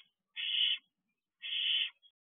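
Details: At night on the perch of an owl box, two young barn owls utter a pair of steady, harsh hissing screeches about a second apart, each lasting under half a second, in otherwise quiet surroundings.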